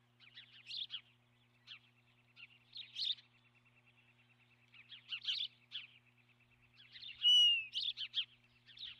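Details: Osprey at the nest on March 12, 2016, recorded by a nest camera: series of piercing chirped phrases repeating every second or two, one loud drawn-out whistle near the end, over a steady low hum.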